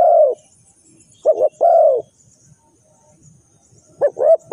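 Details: Spotted dove cooing, a call used to lure birds into traps: a long mellow coo, then a short double coo and another long coo, with a further double coo starting near the end.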